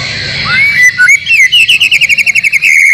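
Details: White-rumped shama training song for caged birds, with filler from other species. Rising slurred whistles lead into a fast, regular trill of short chirps, about five per second, over a steady high hiss.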